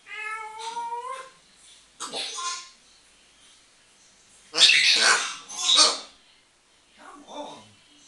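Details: Pet African grey parrot talking and whistling away, having a laugh indoors: a clear tonal wail first, then rough speech-like syllables and two loud harsh bursts, with a softer muttered phrase at the end.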